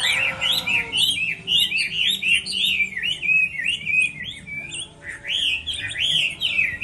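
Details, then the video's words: Moulting Chinese hwamei in a singing contest, pouring out loud, fast phrases of twisting whistles and chattering notes in bursts, after a short lower note at the opening; a brief pause midway before the song resumes. "Họa mi hót đấu mùa thay lông"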